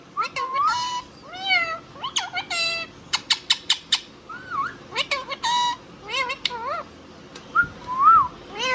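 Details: Indian ringneck parrot talking at home: bursts of quick high clicks alternate with wavering, nasal mimicked words, ending in a few short bent syllables.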